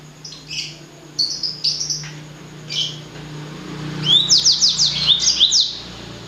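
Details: Blacksang, a hybrid of a blackthroat and a sanger, singing: scattered high chirps at first, then a rapid burst of bright down-slurred whistled notes from about four seconds, with a low steady hum beneath.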